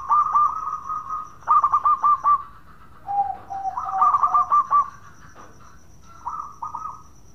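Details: Local Zebra Dove cooing 'bekur' song used as a lure to prompt other doves to sing: mellow rolling coo phrases with quick stuttered notes, a lower steady coo joining midway, pauses between bursts, a faint steady high whine behind.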